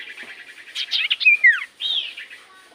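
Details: Common iora lure to set silent birds singing: a blur of buzzy warbled notes, then a clear descending whistled slur, a short break and a final arching whistle.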